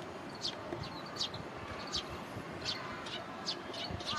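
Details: A hungry juvenile Eurasian tree sparrow begs with sharp, high chirps, about one every three-quarters of a second, while following a parent foraging by a roadside in Japan on a sunny early-July 2022 afternoon (around 16:50); steady background hum.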